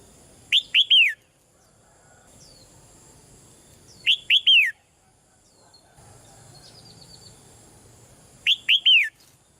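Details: Caged female red-whiskered bulbul calling softly to prompt a male to sing louder: three quick whistled notes, the last slurring downward, repeated at about four-second intervals with three phrases heard, over a faint low hum.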